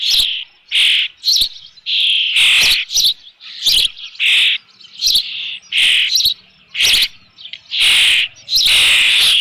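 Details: Osprey at a nest with a fish at Dunrovin Ranch, 3 June 2018, about 5 PM: loud, sharp whistled chirps in quick bursts, roughly a dozen over nine seconds, each burst a cluster of piercing high notes, with no other clear sounds.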